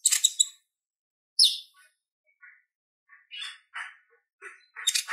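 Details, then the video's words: Purple-throated sunbird singing actively, a recording meant as a model for training other songbirds: sharp, high chirps and short twittering bursts in scattered phrases separated by brief silences. "Suara Ocehan Konin Gacor Tajam Ampuh Buat Masteran Kolibri Ninja"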